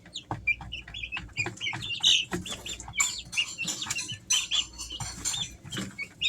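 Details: Three-week-old Easter Egger chicks peep constantly, many high, thin cheeps overlapping in a busy, irregular chorus with faint low rustling beneath.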